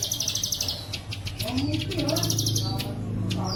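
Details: Indonesian training recording of plain prinia for caged birds, with bren cililin fill-ins: a short burst of fast buzzy high pulses, followed by softer chirps, faint descending whistles and a low humming background.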